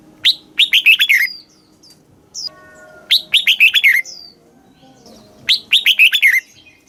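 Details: Red-whiskered bulbul song in the southern master style from Thailand, used to stimulate caged birds and teach young birds: three bright bursts of quick, warbled, downslurred notes about every two and a half seconds.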